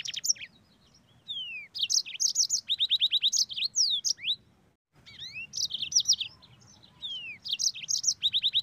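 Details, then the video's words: Caged yellow-fronted canary delivering a rich chattering song: rapid rows of high repeated notes, downward-sweeping whistles and buzzy trills, continuing almost without break apart from a short gap midway. "MOZAMBIK GACOR NGEROL PEDAS"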